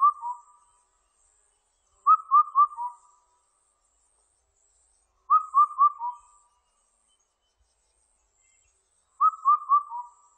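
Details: Indian cuckoo singing: a clear whistled four-note phrase, the first three notes even and the last dropping lower, repeated four times at intervals of roughly three to four seconds against an otherwise quiet background.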